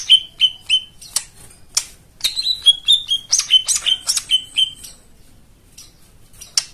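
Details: White-eye song played as therapy for birds that have stopped singing: a string of bright, clear whistled notes, each falling slightly, with sharp high clicks between, then fading to near silence.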